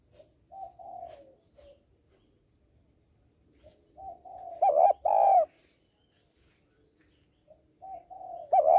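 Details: Spotted dove female calling to stimulate males, repeating phrases that open with soft short coos and swell into loud doubled coos, about three phrases in nine seconds.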